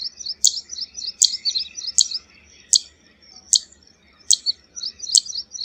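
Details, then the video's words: A Zitting Cisticola (Cisticola juncidis) gives sharp, high 'zit' calls about every three-quarters of a second, with fainter twittering from other birds filling the gaps. "Tiếng chim Chiền chiện đồng hung | Chiền chiện xám ✅Zitting Cisticola call"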